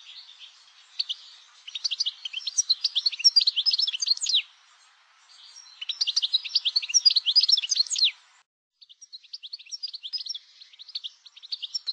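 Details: European goldfinch singing three bursts of rapid, tinkling, twittering phrases, high and bright, each about three to four seconds long with short pauses between; no other sounds.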